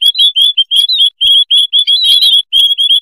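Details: A noisy colony of white-headed munias keeps up a dense, overlapping chatter of thin, high peeping notes with barely a pause between them.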